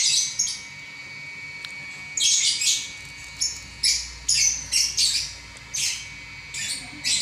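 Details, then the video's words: A champion lovebird chattering nonstop, in the ngacor manner, for eleven minutes: clusters of shrill, rasping chirps in quick pairs and triples, with a single thin click early on and a steady hum beneath. "Burung LoveBird Juara Nya Ngacor 11 Menit Enggak Berhenti"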